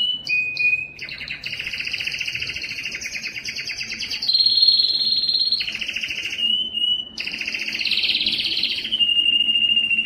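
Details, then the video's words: Yellow canary singing: a rapid sequence of high trills and rolling tours, with buzzy broadband passages alternating with pure whistled notes that shift pitch every second or two, continuous throughout. "Observing the Enchanting Song of the Canary Yellow" canary yellow singing"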